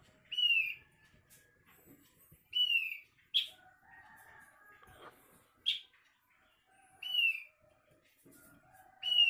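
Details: Asian glossy starling giving an odd call: clear downslurred whistles with overtones, each about half a second long, repeated every one to two seconds, and sharp short notes in between over a quiet background.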